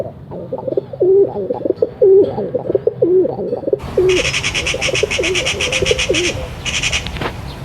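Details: Pigeon cooing in low, rolling notes, several overlapping birds at first; after a few seconds a loud, rhythmic, high buzzing chatter joins in over the cooing and continues nearly to the end.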